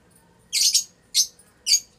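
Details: Bonded adult pair of lutino Fischer's lovebirds mating inside their house; a doubled harsh high squawk followed by two single shrill chirps about half a second apart, over quiet room tone.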